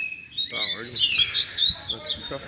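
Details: Captive Double-collared Seedeaters (coleiros) at a Sunday singing session, perched on stakes about 2 m apart, sing fast, high, tumbling warbles of bright twittered notes with strong "fibra", other small birds and a faint human voice behind.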